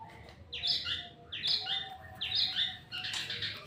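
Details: Actively singing white-rumped shama repeats a short whistled phrase about every second, each a quick burst of clear notes and a lower chatter.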